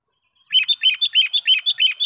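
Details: Sooty-headed bulbul lure call for attracting wild birds: steady rapid chirps, about nine liquid notes in a row at roughly one every sixth of a second, continuing to the end.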